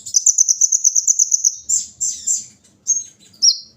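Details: Olive-backed sunbird (kolibri ninja) during morning dewing: a quick, even trill of about a dozen high ticking notes over a second and a half, then separate sharp chirps and a falling whistle.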